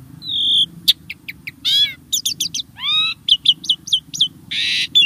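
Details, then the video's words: Singing starling, used to coax caged birds into song: a steady whistle, quick ticking notes, a harsh buzzy burst and a series of rising, upswept phrases. "Kicau Burung Jalak | Cocok Untuk Pancingan"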